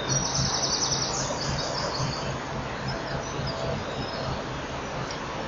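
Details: Common kingfisher at its nest: a quick run of high, thin piping notes in the opening second, fading into a few fainter high calls, all over a steady broad hiss of background noise.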